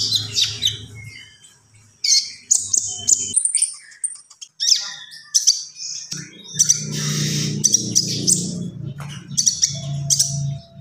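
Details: Common iora in active song: bursts of high, squeaky chirps and short rattling trills in uneven phrases, over a steady low humming background noise through much of the recording.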